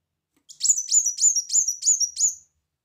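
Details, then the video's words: Brown-throated sunbird lure call: six sharp, very high, slurred notes in quick succession, about three per second, with nothing else audible. "Bunyi Kolibri Muncang"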